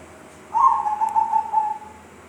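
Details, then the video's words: Zebra dove making an unusual sound: a mellow whistled phrase of about 1.3 seconds, broken into several soft pulses and sliding slightly lower toward the end, with a brief click midway and low background hiss. "Perkutut bersuara aneh"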